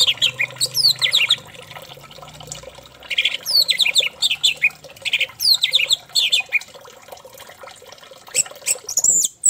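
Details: Orange-headed thrush lure song, played to make another thrush sing eagerly: varied bursts of clear whistled and slurred phrases, rising and falling, in quick runs separated by short pauses, with a faint low hum underneath.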